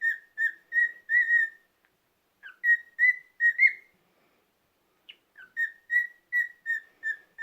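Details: Cockatiel kept as a pet, on a rest day, giving bright tonal whistles in two bursts separated by a short silence, notes steady in pitch with an occasional upward-sweeping note, against a quiet background.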